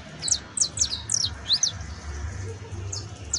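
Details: Saffron finch, known as canario basto, singing in professional style: about eight bright, steeply falling chirps packed into the first second and a half, a pause, then two more near the end.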